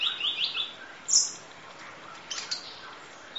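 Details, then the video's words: Sunbird known locally as kolibri ninja, masteran tutor audio in full 'isian nembak' style: a short high twittering run, then a piercing sharp note and scattered thin chips. "Audio Master Masteran Kolibri Ninja Full Isian Nembak Durasi Panjang Kicau Burung"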